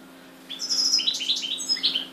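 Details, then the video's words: Captive European goldfinches kept at home, recorded 30 June 2013: a phrase of high, sliding, twittering notes over a steady low hum and faint background noise. "Moji grdelini 30 06 2013 chardonneret,goldfinches,el jilguero"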